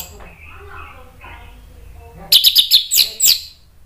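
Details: Orange-headed thrush singing to draw a reply from other thrushes: faint murmuring background, then a short loud series of about eight high sharp chips in quick succession.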